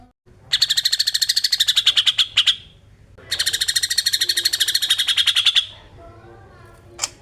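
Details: Song of a greater green leafbird, used to stimulate other birds; two long, fast, even buzzy trills of about two seconds each, slightly falling in pitch, separated by a brief pause, with a sharp click at the end.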